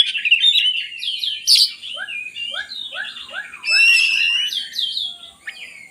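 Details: An oriental magpie-robin sings rich, mimicking phrases with a sequence of short, down-slurred whistles, then loud scratchy warbling; the recording is used as a lure to set idle magpie-robins singing.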